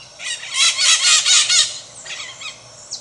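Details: Maritaca parrots calling in Brazil: a burst of loud, harsh, shrill squawks run together for about a second and a half, followed by fainter screeches in the background.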